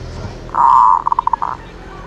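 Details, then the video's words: Zebra dove's short phrase: a smooth half-second purring coo followed by a string of about five quick, bead-like notes, then a final brief coo, against soft background noise. "นกเขาชวา ออดดีๆ เสียงดีๆ"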